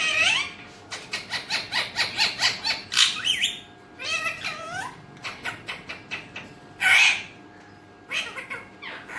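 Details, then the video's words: Talking Alexandrine parakeet, raw recording, a parrot trained in Urdu and Hindi: a rapid series of short, harsh squawks repeated roughly twice a second, then a few longer scratchy calls and one loud drawn-out squawk near the end. "Alexandrine talking parrot || raw talking parrot || beautiful talking parrot alexandrine Urdu Hindi"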